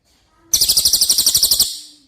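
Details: Cililin song used as masteran training audio for competition birds: a single burst of about twelve fast, evenly spaced buzzy high notes over a little more than a second, then quickly fading.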